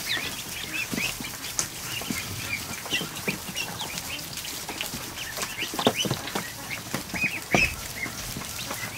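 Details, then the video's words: A kiddie pool in a barn holding more than a hundred newly hatched ducklings on an afternoon, their thin, high peeps chattering constantly over water splashes and knocking sounds. "An Afternoon With 100+ Ducklings In A Kiddie Pool"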